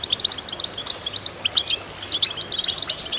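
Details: Goldfinches chorusing, quick sparkling chirps in a steady, rhythmic stream from several birds, each note short and high, with a thin sustained buzzy tone running under part of the twittering.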